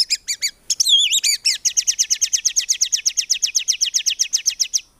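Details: White-rumped shama, a tutor recording for songbirds, singing 'tembakan' phrases without 'ngukluk' notes. A few chips and twisting whistles lead into a long, even, very rapid shrill trill lasting several seconds.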